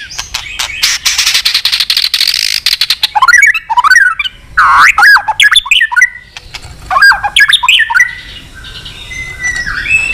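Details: White-rumped shama giving a long song to incite fighting. A noisy, rattling opening is followed by loud swooping whistles and short upslurred notes in broken phrases. Faint background hum.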